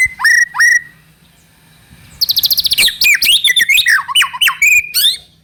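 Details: White-rumped shama lure song to prompt another bird to sing: two clear whistles with swooping starts, a pause, then a fast rattling run of chips merging into varied warbled and whistled notes.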